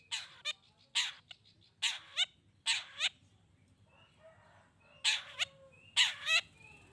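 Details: Long-tailed shrike in a lure meant to make other shrikes respond: quieter grating notes, mostly in close pairs, with a brief lull in the middle and faint whistles behind.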